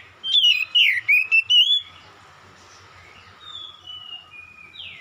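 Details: Oriental magpie-robin song in a lure recording: a loud run of five rapid, swooping whistled notes, followed by faint distant whistles and a steady low background hum.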